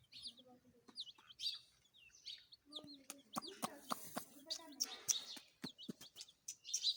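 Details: High, slurred chirps from baby chickens in loose bursts, mixed with sharp clicking and tapping sounds and a short low buzzy note partway through.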